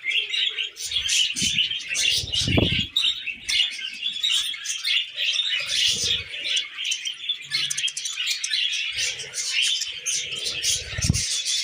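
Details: Several tamed pet budgies chirp and warble almost nonstop, the scratchy high chatter broken by occasional soft low thuds and rustles.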